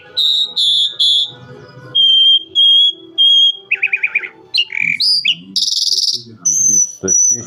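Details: Calandra lark song built from separate bright phrases: three repeated whistled notes, then three steady pure tones, a short rattling burst, and sharp squeaky, varied notes rising toward a high, thin whistle at the end.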